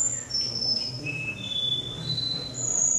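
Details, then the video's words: Canary male number ten at a singing competition in Rostov-on-Don, Russia, on 22 January 2011: long, pure, steady whistled tones and rolling trills shifting between high and lower pitches, over a constant low room hum. "Конкурс канареек, Ростов-на-Дону, кенар №10"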